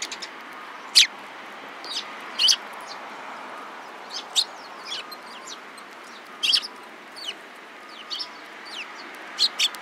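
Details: Several sparrows chirping: short, sharp chirps and brief double chirps spread at irregular intervals, some loud and close, others faint in the background.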